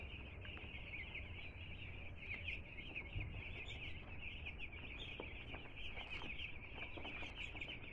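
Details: Newly arrived two-day-old chicks of domestic chicken cheeping together in a constant chorus of short high piping notes, some sharper chirps standing out, with low background rumble.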